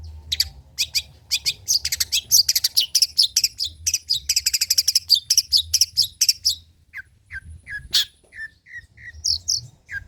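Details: Cendet (long-tailed shrike) song in old-style material for luring and tutoring: a long, rapid chattering stream of high scratchy notes, followed by spaced short whistles and squeaks.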